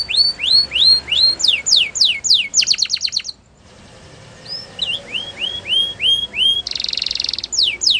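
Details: Spanish Timbrado canary song: a run of rapid falling whistled notes speeding into a tight rattle, a short near-silent gap, then more sweeping whistles and a harsh buzzy burst before the series resumes.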